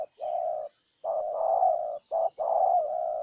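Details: Spotted dove decoy from Ninh Thuận, Vietnam, calling to draw in a wild dove: long, low, steady coos, some nearly a second long, broken by brief short notes, loud and close.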